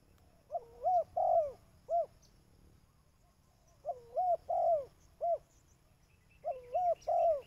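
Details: Spotted dove call used to lure birds: three phrases of low cooing, each a pair of quick rising-falling coos, a longer drawn coo and a short final note, repeated roughly every three seconds over a faint low hum.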